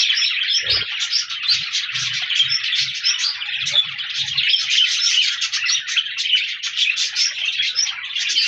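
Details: Budgies (parakeets) chirping and singing together on 14 January 2024, steady busy twittering with many overlapping short notes and warbles, a few soft low knocks near the start.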